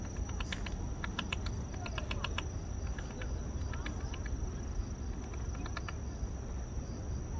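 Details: While hunting insect larvae in a park, a woodpecker hammers at a tree: groups of two to four crisp taps recur every second or so early on, then pause and resume, over low constant noise.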